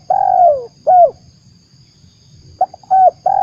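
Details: Spotted dove cooing used as a trapping lure, a long descending coo then a shorter one, a pause, then a new phrase starting with quick soft notes and hooting coos, faint low background hum.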